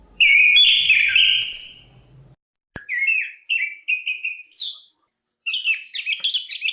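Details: Chestnut-capped thrush (Zoothera interpres), Southeast Asian forest thrush, sings a long whistled note, then a click and a quick series of short repeated chirps stepping upward, ending in jumbled high twittering.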